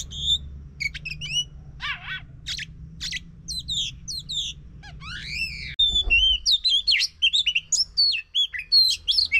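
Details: Oriental magpie-robin song used as a lure to prompt a silent bird to sing: varied whistled and chirping phrases, sliding notes and rapid trills mostly high-pitched, with a low background hum in the first half, then louder clearer phrases.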